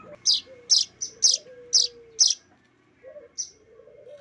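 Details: Hand-fed streaked weaver chick begging: six quick, piercing chirps in about two seconds, a short pause, then two more. A faint, low, drawn-out whine runs underneath.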